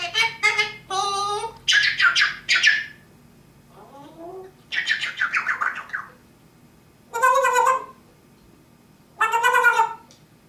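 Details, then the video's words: Pet parrot indoors giving harmonic squawks and chattering calls in bursts separated by pauses, some notes falling in pitch, roughly every two seconds. "george the genius parrot"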